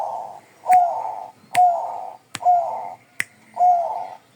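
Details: Bangkok-type zebra dove singing: four low, warm cooing phrases, each opening with a short bright upslurred note before a rolling purr, spaced under a second apart, with sharp dry clicks between phrases.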